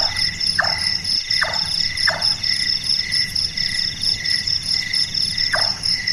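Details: Large-tailed nightjar (Caprimulgus macrurus), a night-active bird locally called burung tukang, whose voice is likened to a carpenter at work: four hollow knocking notes, each dropping sharply in pitch, spaced irregularly over steady shrill insect choruses.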